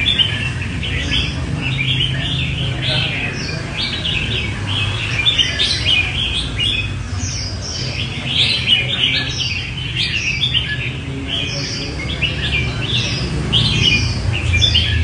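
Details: Red-whiskered bulbuls competing in song before being given numbers; lively clusters of sharp whistled and warbled notes pour out almost continuously from several birds, over a constant low rumble of background noise.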